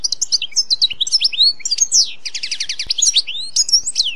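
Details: European goldfinch (Carduelis carduelis) singing in nature, a steady stream of bright twittering notes, quick trills and downslurred whistles over a faint background hiss.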